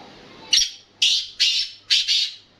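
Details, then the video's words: Black francolin giving a harsh, scratchy call of four or five rasping notes, the last two joined together, spaced about half a second apart. "Kala Teetar ki Awaz"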